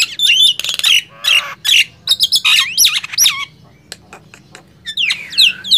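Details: Singing contest between a Nias hill myna and a black-winged myna: loud looping whistles and buzzy squawks, a pause with faint clicks, then a final sweeping whistle.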